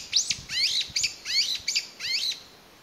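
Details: A single Brown-eared Bulbul cries out in May 2021, apparently searching for its lost family. Loud, squealing slurred notes rise and fall in quick succession, with faint low knocks underneath.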